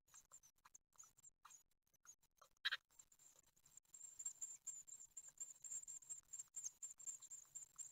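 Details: Great tit nestlings, nine days old, begging for food during a feeding at a nest in Ostwald on 15 June 2020: a thin, high, continuous hiss of begging calls that swells in the second half, over frequent scratches and taps.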